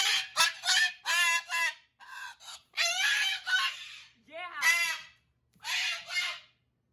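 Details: Several pet cockatoos scream during hormone season after being denied attention, giving harsh, grating screeches in quick bursts, some short and some drawn out, with brief pauses. Their owner, a woman, is faintly heard.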